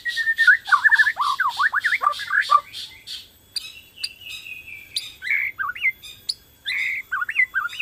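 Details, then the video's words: Energetic song of a Borneo white-rumped shama, meant to prompt other shamas to sing: a rapid burst of repeated twittering notes, then a drawn whistle followed by varied chattering and slurred phrases. "PANCINGAN BORNEO GACOR SANGAT AMPUH UNTUK MERANGSANG BUNYI MURAI BATU LAIN"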